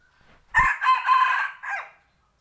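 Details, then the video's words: A rooster crows near a home, one drawn-out raspy cock-a-doodle-doo of several joined syllables after a short thump, ending in a softer falling tail. "tso qaib dib qua"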